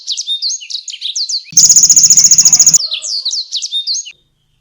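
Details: Canary in energetic full song, used as a tutor for competition songbirds: quick upslurred chirps near the top of the range, then a loud, very fast rattling trill of about one second, followed by more sweeping chirps.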